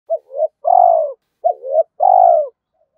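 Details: Spotted dove calling in the gáy thúc and gáy gọi styles, used to stir decoy doves; two low hoarse coo phrases, each a short double note followed by a longer drawn-out coo, in clean quiet surroundings.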